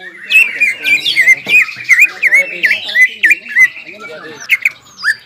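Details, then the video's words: Jamtrok and ngobra singing by a caged greater green leafbird, excited by breeding urge: a regular series of looping whistled two-part slurs, about three per second, over faint chatter. "CUCAK IJO GACOR INI NGOBRA DAN JAMTROK SUARA GACORNYA BIKIN CUCAK IJO MANA PUN EMOSI"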